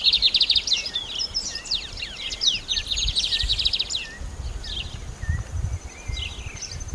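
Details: Lined seedeater: a quick series of sharp, high, down-slurred notes and buzzy trills, then sparse soft chirps, with low rumbling and a steady faint high whine.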